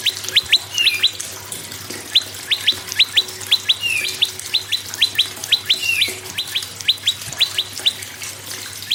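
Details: Lively prinia song, said to spur other birds into singing: continuous series of sharp upward-flicking whistles, mostly in pairs and triplets, with a few slurred downward notes mixed in, about two per second.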